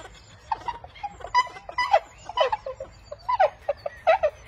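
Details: Inca terns in Peru give harsh, nasal, cat-like squawks in quick irregular bursts, with several voices overlapping, over a faint low background rumble.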